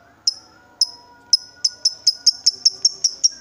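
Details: Excited lovebird, provoked to call, starting with slow sharp high ticks that speed up into a quick even series of about five per second.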